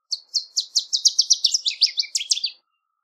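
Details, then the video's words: Northern waterthrush giving one full song phrase of about two and a half seconds, evenly spaced high chips that quicken and drop lower into a slurred, tumbling ending. "Northern Waterthrush Song! Call! Sound! Chirp! - Reinita Charquera Canto"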